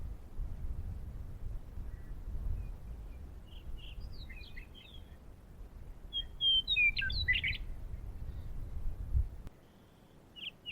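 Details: Western meadowlark (Sturnella neglecta) song recorded in Oregon in May 2019: two bursts of flutey, tumbling notes that slide downward and end in a gurgle, over a steady low rumble of wind.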